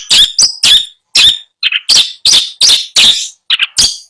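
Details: Caged long-tailed shrike at a seller's in Bondowoso, Indonesia, giving loud, harsh, grating notes in quick succession, several per second, with brief gaps.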